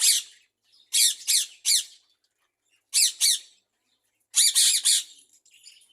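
Budgerigars squabbling with harsh, buzzy squawks in short bursts of two or three.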